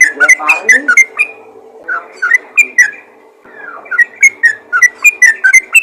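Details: Yellow-vented bulbul calling to other bulbuls: scattered chirped and slurred whistled notes with irregular pauses, ending in a quicker series of bright chirps.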